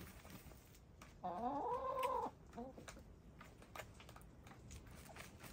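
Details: Dust-bathing hens, gray, lavender, blue and black, kicking up dirt; one sustained, slightly rising then level nasal call about a second long, followed by brief clucks and soft scratching.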